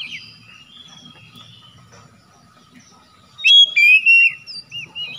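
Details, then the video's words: Oriental magpie-robin lure song for a bird that has gone quiet: a soft distant whistle at first over low background noise, then a burst of loud looping whistled phrases. "PANCINGAN CEPAT PEMULIHAN KACER NGEDROP MACET BUNYI LANGSUNG GACOR"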